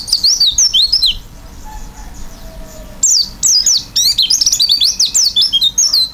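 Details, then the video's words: Pleci, the oriental white-eye, in lively open-beaked 'isian' song. Fast, high-pitched chattering whistles with sweeping up-and-down notes open the passage, then come a quieter break and a long, dense, tumbling run of twittered phrases. "pleci gacor isian buka paruh"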